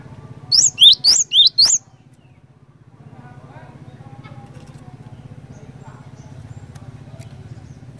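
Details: Cinereous tit (glatik batu) singing steadily, a lure recording meant to make other cinereous tits sing along: a brief phrase of about five sharp, high whistled notes near the start, then only a continuous low mechanical hum.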